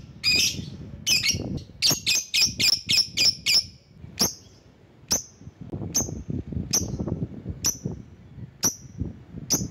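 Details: Lovebird used as a lure bird to call rivals: a rapid burst of about eight sharp, high chirps, then slower single shrill chirps roughly once a second, with low rumbling noise beneath.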